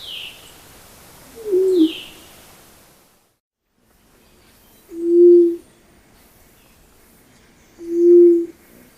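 White-throated Quail-Dove giving low, hollow coos that fall slightly in pitch, spaced about three seconds apart; a higher, falling chirp from another bird sounds at the start.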